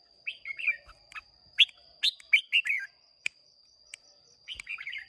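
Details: Wild-caught red-whiskered bulbul of Hoa Binh origin, contest singing on 30 May 2023: lively, repeated phrases of slurred, warbling whistles, quick and bubbly, with a brief pause before a final phrase, over a steady high background tone.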